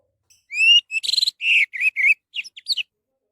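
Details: Orange-headed thrush singing, a recording meant to coax other birds into song: a bright upslurred whistle, a rattling buzzy cluster, then falling whistles and a few soft high chirps.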